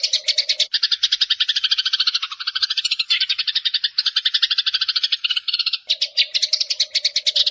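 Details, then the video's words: Eurasian tree sparrows calling, used as a lure to draw birds in: a dense, continuous stream of rapid, high chirps from several overlapping birds, with a steady lower hum at the start and end. "MASTERAN PANJANG BURUNG GEREJA"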